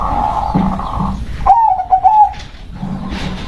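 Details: Local zebra dove sings a level hum-like note, then, after a short gap, a quick stuttering string of soft coos that waver up and down. A low murmur of background noise continues throughout.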